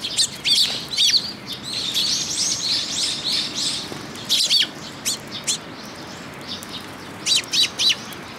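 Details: Several sparrows come to a post to be fed at Tenmangu shrine on 8 June 2022, giving dense bursts of high, sharp chirps, with a busy chattering run early on and scattered single tweets later, plus soft wing flutters.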